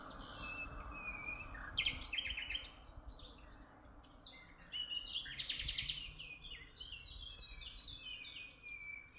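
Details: Birds chirping in Tuzla, several overlapping high twittering and trilling calls in bursts, rapid chattering notes and thin whistles over a steady low rumble of background noise.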